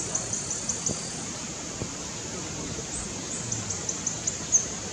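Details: A plain flowerpecker sings in the wind at low elevation in Northeast India, giving very high, thin ticking notes in two quick runs of about six notes each, half-buried under steady wind noise.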